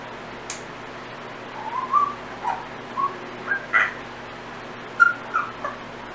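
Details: Captive Timneh African grey parrot at home producing random sounds and portions of learned whistles: a string of brief clear whistled notes, some rising, spaced irregularly about a second apart, with a faint high click near the start.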